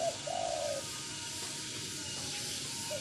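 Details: Spotted dove (tekukur) cooing: a low, soft two-part coo near the start, a brief pause, then a faint coo at the end over steady background hiss.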